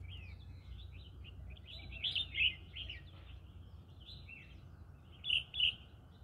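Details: Green-cheeked conure singing in a rice field: rapid strings of scratchy high chirps with two louder paired squawks, the second pair near the end, against steady chattering and low rumbling noise.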